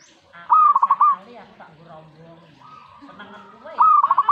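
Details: Zebra dove responding straight away to a master recording. Two loud rolling coos open and close the clip, each a rapid string of five or six throbbing beats. Quieter warbling tones and faint voices fill the gap between them.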